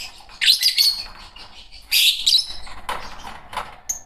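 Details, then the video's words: Green pair of caged Fischer's lovebirds chirping: bursts of shrill, harsh high chatter around one and two seconds, then scattered short sharp chirps and a thin whistled note near the end. "Lovebird singing & chirping sounds -Green Fischer Pair"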